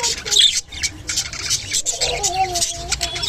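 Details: Japanese budgerigar sounds during mating: scratchy high chatter and clicks, then a drawn-out wavering whistle near the end, set against a low humming background.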